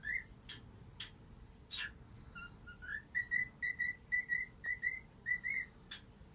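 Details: Whistled rendition of 'If You're Happy and You Know It' by a pet cockatiel acting as its owners' alarm clock: after a few knocking sounds, a run of even, clear whistled notes repeated steadily at one pitch with small slides.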